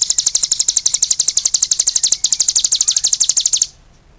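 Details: A cigun sings energetically in quick, sharp, high chirps, nearly four a second, then stops, leaving silence.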